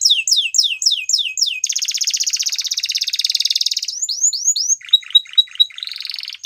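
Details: Waterslager canary singing a tour of fast falling whistles, then a long rapid buzzing roll, a few swooping whistles and choppy gurgling notes.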